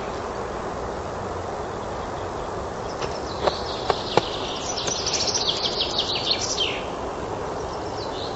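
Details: Common chaffinch in a forest in spring delivering a single song phrase after a few knocking clicks: a quick cascade of notes falling down the scale to a terminal flourish, set against continuous low rumble.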